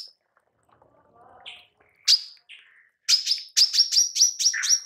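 A female manggar gives sharp, high chips, then a fast burst of about eight bright, ringing notes, roughly five per second. The background is quiet.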